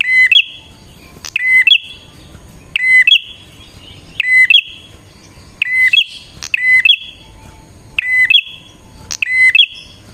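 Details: Bar-winged prinia singing vigorously as a lure for wild birds. A short buzzy note is followed by a whistle that jumps higher, repeated about every second and a half, seven times.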